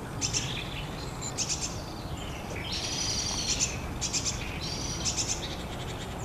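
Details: Long-tailed tit giving rapid bursts of high, dry rattling notes, several short clusters every second or so, with thin sibilant high notes laid over a steady low background rumble.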